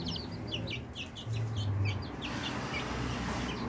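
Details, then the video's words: Chicks aged twenty days chirping in a cluster of short high peeps early on, then fainter, with a low humming background and a brief deeper tone. "Cute Baby Chickens/ Chicks - Funny Baby chicks"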